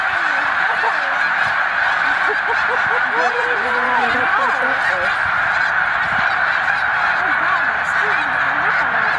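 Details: Huge flock of snow geese at the Montezuma mucklands, New York, in March 2022, an even, dense chorus of honks throughout, with excited human voices mixed in during the middle.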